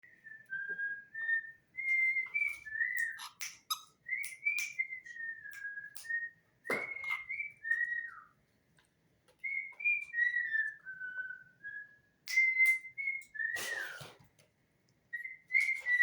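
A cockatiel whistles a warbling, tuneful string of clear notes that rise, fall and loop back on themselves.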